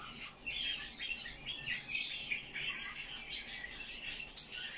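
Eurasian blackcap singing a fast, busy warble of bright, high chirps and twittering phrases, run together without pause; other birds may be chiming in.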